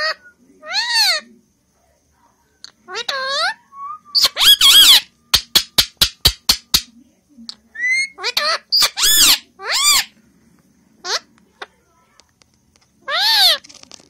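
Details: An Indian ringneck parakeet talking in Hindi gives shrill, harmonic-rich vocal phrases mimicking speech, with a rapid series of sharp clicks or tapping in the middle.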